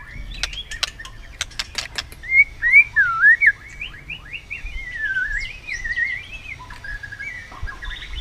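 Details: White-rumped shama in competitive singing: a few sharp clicks, then soft, fluid whistled notes that wander up and down in a long continuous warble, quieter toward the end.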